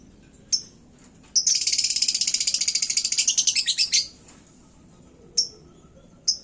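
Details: Fired-up lovebird in a hanging cage, singing to provoke other birds: a dense, rapid chattering trill of over two seconds, framed by single sharp high chirps.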